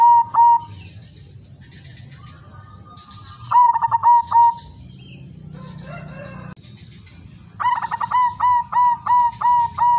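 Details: Coos of a female silver zebra dove serving as a breeding-condition lure: three bursts of short, regular, level notes, the last the longest and most rapid, separated by quieter gaps with low hum.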